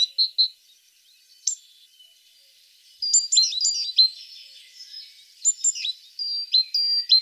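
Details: Tit singing: a pair of short high notes, a pause, then from the third second a run of sharp, high whistled notes with quick downward slurs, phrases tumbling one after another.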